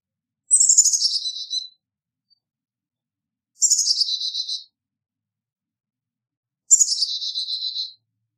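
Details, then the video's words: Carolina chickadee giving three buzzy, harsh calls, each about a second long and sliding down in pitch, spaced roughly three seconds apart with silence between. "Carolina Chickadee Song! Carolina Chickadee Call!"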